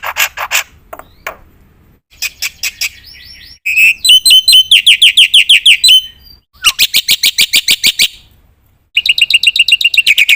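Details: Black-winged myna in varied song with filler phrases: scattered chirps, a whistled slurred phrase, then fast runs of loud repeated notes and a bright rapid series, with quiet gaps between.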